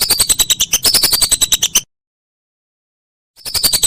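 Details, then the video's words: Whistling duck calls used as a master recording for training songbirds: rapid series of high, thin whistled notes, about three per second, breaking off into silence before resuming. "Masteran Burung Belibis"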